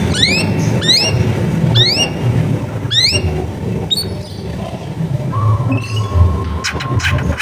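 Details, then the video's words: A long-tailed shrike, recorded at home amid neighbourhood noise, sings to prompt silent shrikes to sing. Sharp rising whistled sweeps repeat roughly every second, then a few scattered notes, over a low rumbling background. "CENDET GACOR FULL TEMBAKAN TAJAM COCOK BUAT PANCINGAN CENDET MACET BUNYI"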